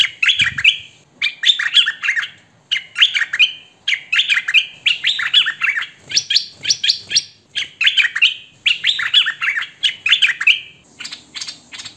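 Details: Hwamei, a kept bird, singing clean standard song recorded by phone or camcorder: rapid bursts of rich, warbling whistled phrases with sliding notes, repeated about every second with short pauses, little background noise.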